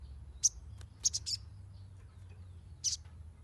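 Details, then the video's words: Crimson sunbird sounds used to train new captive birds: a single piercing high chirp, then a rapid cluster of three thin tweets and another lone chirp after a gap, with faint low background rumble. "SOGON NYERECET !! Pancingan untuk burung bahan"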